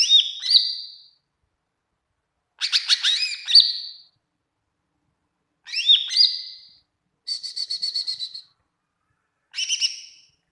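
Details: Spaced phrases of greater green leafbird song, used to train other birds: five separate bursts of high looping whistles and chatter, one a rapid pulsed trill, each followed by a couple of seconds of silence.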